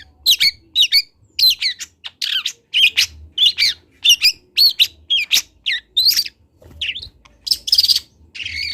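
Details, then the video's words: Learning juvenile long-tailed shrike, local Kendal bird, on a master recording: a steady series of scratchy, twisting notes repeated about twice a second, mixing rasps with short warbled whistles. "MASTERAN CENDET TROTOL BELAJAR BUNYI"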